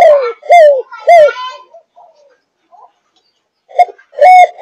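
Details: Young spotted dove of the Malaysian thúc gù line, 5.5 months old. Three arched, falling coos come in quick succession, then a quiet pause, then a pair of hooked coos ending in a level note.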